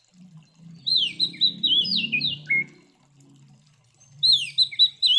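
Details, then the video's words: Provocative fighting song of an Oriental magpie-robin, loud and varied: quick bright whistles rising and falling in a rushed phrase with a lower harsh note at the end, then another phrase begins, over low rumbling background noise. "Suara Burung KACER GACOR Ngeplong TARUNG Konslet ini Paling Ampuh Buat Pancingan Kacer Biar Emosi"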